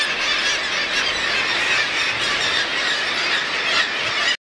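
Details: A dense, continuous chorus of nasal, squealing calls from many black-legged kittiwakes at their nests on East Amatuli, 28 August 2008, overlapping into a steady high-pitched din with no break.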